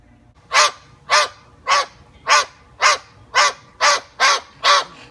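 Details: Moluccan cockatoo showing off, giving nine loud, harsh, rasping screeches in a steady series, roughly one every half second, each short and coarse with no pauses longer than a beat; background otherwise quiet.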